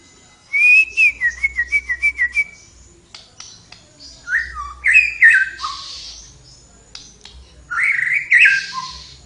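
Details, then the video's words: Flowerpecker in lively full song: a quick run of eight thin, high whistled notes, evenly spaced, then twisting slurred phrases that rise and drop, ending in a bright, complex high trill. "suara burung tledekan gacor"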